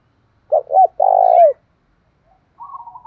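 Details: Thổ pha style song of a Spotted dove for provoking a captive bird to coo: two short low notes and a long vibrating coo sliding down, followed after a pause by a higher fluttering trill.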